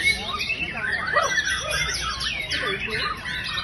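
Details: Kept white-rumped shama, said to have lacked fighting spirit before, now singing vigorously: dense, varied whistled and chattering phrases sweeping high and low, with a man's voice talking underneath.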